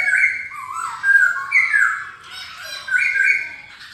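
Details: Black-throated laughingthrush singing: loud, rich whistled phrases that slide downward, with bright bursts near the start, middle and end and softer warbling between them.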